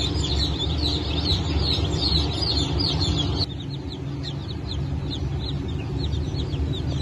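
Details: Brood of newly hatched Brahma and Wyandotte chicks from a 4 August 2024 hatch. Rapid high peeps crowd together, then thin and soften partway through as the background hum drops.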